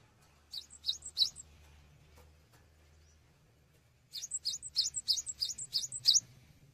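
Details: Cinereous tit singing eagerly, meant for tutoring songbirds: a brief phrase of three or four high chirps, a pause of about three seconds, then a steady run of seven rapid, evenly spaced two-part chirps.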